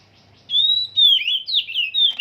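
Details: Short phrase from an Oriental magpie-robin in song training: a long, steady, pure whistle, followed by sharp notes that swoop up and down.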